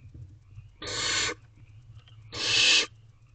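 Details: Wild barn owl owlets in a nest box at 9:57 pm on 5/8/23, taking turns feeding on a rabbit: two harsh, breathy hissing screeches, each about half a second long and spaced about a second and a half apart, over a low background hum.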